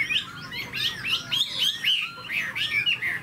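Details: Tame caged Chinese hwamei showing its tail-spreading display. It gives loud looping slurred whistles in short bursts, several phrases within three seconds, over a low background hiss.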